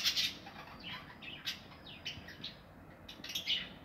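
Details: Aviary budgerigars kept for breeding, nests inside, 2020: soft, busy twittering of several birds, short rising and falling chirps running on with brief louder squeaks at the start and end.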